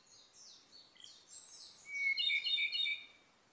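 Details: Ryukyu robin, a bird endemic to Okinawa island in Japan and now endangered, singing: thin high whistled phrases sliding downward, then a quick series of bright repeated notes; quiet recording with no other clear sounds.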